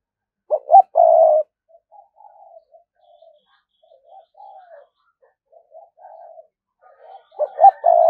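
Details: Spotted dove lure bird coos to attract wild doves in the thúc gù manner: a double note and a long low coo, quiet murmuring phrases, then another loud clustered set of coos.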